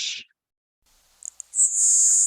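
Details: A LeConte's Sparrow sings its very quiet, fleeting song, rarely heard from a distance and likened to "bacon sizzle" or "tequila": two tiny ticks, then a thin, very high, insect-like hissing buzz under a second long. A brief harsh sound comes just before.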